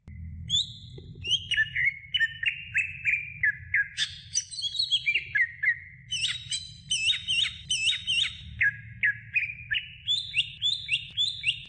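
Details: Training recording of a greater green leafbird: a long, lively run of whistled phrases, downslurred notes and repeated looping chirps, delivered rapidly and continuously over a faint low hum.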